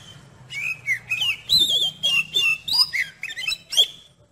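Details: Oriental magpie-robin singing calmly, a song meant to test another magpie-robin's nerve: lively, rich whistles and twisting slurred notes in quick bursts, each phrase changing in pitch, over a faint low hum.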